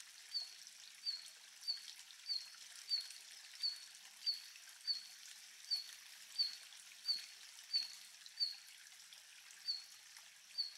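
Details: A red-flanked bluetail (Tarsiger cyanurus) gives its winter ground call in 2022: a short, high, thin note repeated about every two-thirds of a second, over a steady hiss of running water.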